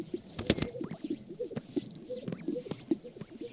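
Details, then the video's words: Sage grouse displaying on a lek on the prairie in spring at sunrise: low bubbling coos and sharp hollow pops overlapping several per second, with swishing rustles of white feathers rubbing between. "Sage Grouse Lek Dancing"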